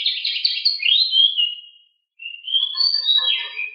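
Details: Household pied bushchat (decu) song from a training master recording: a long buzzy, descending warble fading into a thin whistle, a brief pause, then another rising scratchy phrase with twittering notes.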